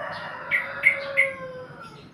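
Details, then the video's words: Yellow-vented bulbul in a black cage: three short, bright, bubbly notes about a third of a second apart over a faint steady hum. "suara burung trucukkan"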